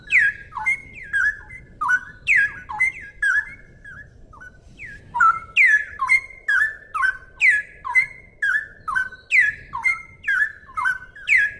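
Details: Clear tutor song of a straw-headed bulbul (cucak rowo) in 'ropel gacor' style: rolling whistled notes falling and levelling, a brief lull, then a faster, louder unbroken burst of repeated phrases.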